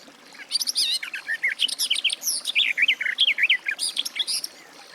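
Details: Sustained warble from a Garden warbler (Sylvia borin): about four seconds of fast, continuous, bubbling notes that tumble up and down without pause.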